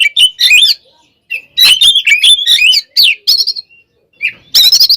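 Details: Oriental magpie-robin in aggressive fighting song: scratchy chattered notes and bright whistles run together in energetic phrases, separated by short silences, ending in a harsh high burst.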